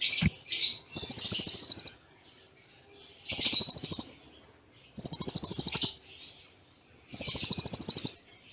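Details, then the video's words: Kolibri Ninja sunbird delivering Cililin-style song with close pauses: four buzzy, rapidly pulsed high trills about a second long, separated by short silences. "Masteran Konin Full Tembaan Cililin Jeda Rapat"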